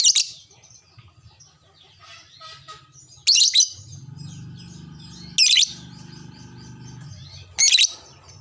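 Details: Lovebird replying to another lovebird: loud, harsh squeaky bursts about every two seconds over a continuous faint, rapid high twitter.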